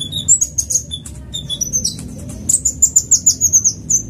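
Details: Van Hasselt's sunbird lure song, fast version: very high, thin twittering notes, then a rapid run of sharp chips repeated about four per second, over a faint low background hum.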